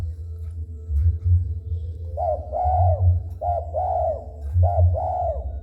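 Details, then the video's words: Spotted dove that starts cooing when someone comes near. Three mellow phrases, each a short coo followed by a longer swelling, arched coo, spaced about a second apart. A continuous low hum sits in the background. "Burung tekukur gacor setiap dideketin manggung"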